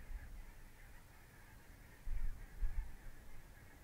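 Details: Barnacle goose flock wintering at Mersehead, Dumfries and Galloway, November 2011, birds from Svalbard: continuous massed yelping calls blend into a steady chorus, with low wind thumps around the middle.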